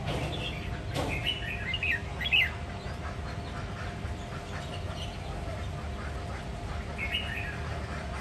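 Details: Red-whiskered bulbul song in the 'ché nẹt' style, from a bird of the Sông Kon line, Quảng Nam, Vietnam: chattering warbled notes with one sharp click, a louder bright phrase after two seconds, and a brief reply near seven seconds, over low hum.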